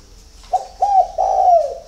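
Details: Early-morning song of a spotted dove from a dove bird garden in Ba Vì, Hanoi, Vietnam: a brief clipped note, then two mellow coos, the last one long and slowly falling at the end.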